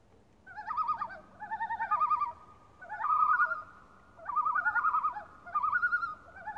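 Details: Loons calling on Lake Beauvert near Jasper, Canada: rapid wavering tremolo phrases, each close to a second long, repeated about every second and a half, two voices interleaving at slightly different pitches over a quiet background.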